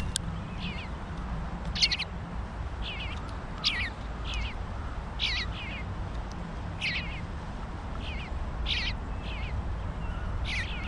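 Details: Three eastern bluebird fledgling brothers eating together give short, high, slurred call notes, often in quick pairs, several each second or two, over a steady low rumble.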